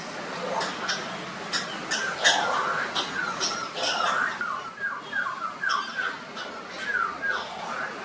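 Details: A shikra perched on a tall coconut tree, watched from a distance, gives a run of harsh, short, downslurred squawks, several per second, with coughing-like rasps and clicks; the observer wonders whether it is coughing or choking.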